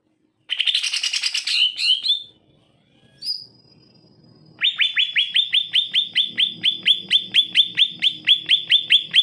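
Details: Greater green leafbird used as a singing tutor for lazy birds: a rich, jumbled warble, a pause with a thin high whistle, then a long run of repeated sharp, down-slurred chirps, about two per second.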